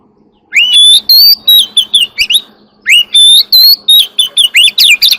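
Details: Chòe than, the Oriental magpie-robin, singing early in the morning as an ornamental bird: two long flowing phrases of varied whistled notes and rising slurs, delivered rapidly in quick succession, with a faint steady low hum behind.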